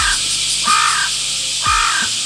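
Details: A Carrion Crow in Harima Central Park, Kita-Harima, Hyogo, Japan, on a hot 8 August, gives three hoarse, flat caws about a second apart, with a steady hiss of tsukutsukuboshi cicadas underneath.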